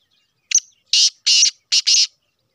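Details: Black francolin (Sheedi cross) giving its patterned call: a brief lead-in note followed by four grating, buzzy bursts, two spaced and two run together, in a quiet setting.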